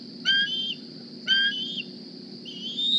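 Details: Young wild bald eagle, hatched 2020, fitted with a GPS transmitter, back at its Decorah nest one morning, squeeing for a meal: two loud whistled squeals with a brief high tail, then a softer rising note, over a steady high hum.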